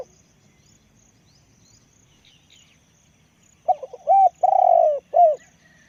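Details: Decoy spotted dove with a big voice. After about three and a half seconds of near silence, it delivers one cooing phrase: brief lead-in notes, a clipped coo, a long drawn-out coo, and a final falling coo.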